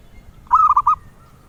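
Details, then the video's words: Zebra dove song prized by collectors: a brief cooing phrase of about four soft, hollow notes in quick succession, the first drawn out, over faint low background hum. "Suara Merdu Burung Perkutut"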